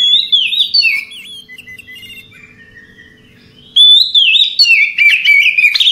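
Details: At night an Oriental magpie-robin gives a relaxed song. Loud sweet whistled slurs open the clip, then a soft pause with faint notes, then a bright rush of varied whistles and chirps returns.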